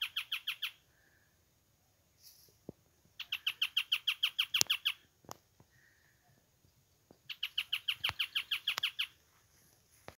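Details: Ochre-flanked Tapaculo (Eugralla paradoxa), a hidden male singing at Mallín Ahogado, El Bolsón, gives rapid bursts of eight to fourteen harsh, scratchy notes, each burst about a second long, repeated every three to four seconds.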